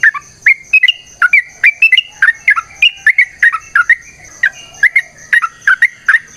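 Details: Long, lively song of a sooty-headed bulbul meant as a lure to make other bulbuls sing back: dense bursts of short liquid whistles, rising and falling, coming two to three each second with a faint steady high hum.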